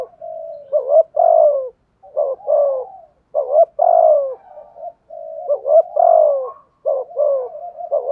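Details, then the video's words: Decoy spotted dove in a steady thúc gù bout, giọng thổ voice. About five or six phrases of paired coos, each a quick note and a longer falling one, delivered evenly and clearly. "chim cu moi thúc gù bài bản"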